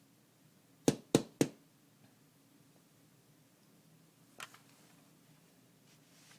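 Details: A quiet indoor room with three sharp snaps or taps close together, one softer tap later, and otherwise near silence.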